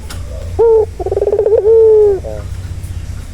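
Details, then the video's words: Calming turtle dove call for a stressed bird: a short low coo, then a rapid pulsing roll that runs into a long sustained hollow note, ending with a soft fading tail; faint low background hum throughout. "Suara santai yang bisa mengobati burung puter yang lagi stres"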